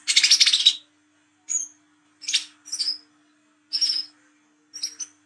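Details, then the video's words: Olive-backed sunbird recorded at night, a lure recording: a harsh buzzy rattling burst, then short high whistled notes with a downward slur, repeated about every second, with a steady faint low hum. "KOLIBRI KELAPA WICEH TROTOL GACOR NGRIWIK NGLAGU MENTAL JAHAT"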